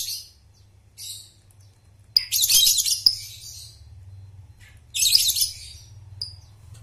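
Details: Lovebird sounds used to train young birds to trill: two soft chatter bursts, then a loud harsh, buzzy chattering run of about a second, a quieter stretch, another harsh burst and a lone whistled chirp, over a low hum.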